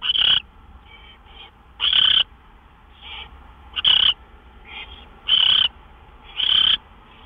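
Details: Owl at a nest around midnight on March 26, during two gopher prey deliveries; short, high, clear calls repeated about every one and a half seconds, with fainter softer notes between them.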